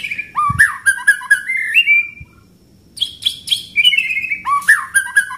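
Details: White-rumped shama song used to train other birds: rich whistled phrases rising and falling, interspersed with sharp high chips, a brief quiet gap, then more varied whistles and chips.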